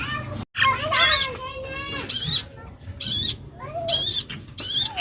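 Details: Loud song from a young long-tailed shrike in the 'full isian' style: harsh, raspy bursts repeated roughly once a second, alternating with softer whistled slurs. A brief silent gap comes near the start.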